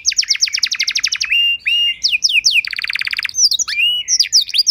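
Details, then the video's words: Canary singing for other canaries to copy: a fast run of descending notes, a held whistle, a buzzy rolling trill, then quick mixed chirps. "Masteran dan Pancingan Burung Kenari Biar Punya Lagu Mewah!"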